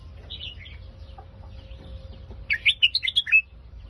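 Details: Red-whiskered bulbul, Phetchaburi song style: soft twittering notes first, then a loud, rapid phrase of lilting whistles rising and falling, with a faint steady tone and low noise underneath.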